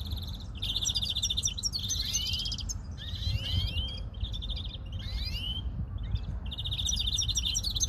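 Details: Singing European greenfinch with long rattling trills broken by upward-sliding whistled notes, phrases separated by short gaps, steady low-pitched background noise throughout.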